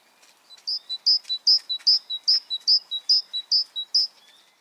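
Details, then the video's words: Great tit (Parus major) singing a bright, high two-note phrase, a higher note then a lower one, repeated about ten times in quick, steady rhythm over four seconds; faint background ticks. "Canto Del Carbonero Común"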